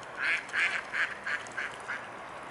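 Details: A family of Mute swans calling in the evening of 15 September 2015 at 19:05; six short nasal notes repeated about every third of a second, growing gradually softer, over a constant hiss.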